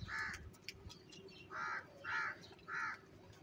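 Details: Crows fighting over cheese utter four loud, harsh caws, the last three evenly spaced about two-thirds of a second apart, with steady low hum underneath.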